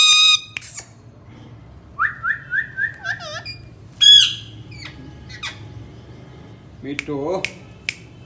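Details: Pet parrot indoors giving loud squawks, a string of five short rising chirps, a bright harsh call, scattered clicks, and a wavering speech-like mumble near the end.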